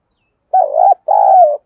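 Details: Lure spotted dove in the đồng thổ voice style, calling to stimulate and train newly caught birds for fighting: a low, wavering, stuttered coo followed after a short gap by a long, steady coo that sinks at its end. No other sounds.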